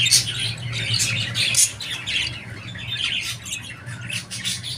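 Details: Budgerigar chatter of rapid, rasping squawks and chirps, louder at the start and easing off, set against a steady low hum.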